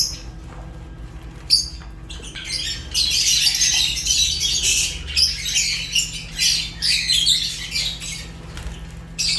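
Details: After a quiet start with a single sharp note near 1.5 seconds, African lovebirds, Fischer's among them, burst into a loud, continuous chorus of scratchy chirps and squawks.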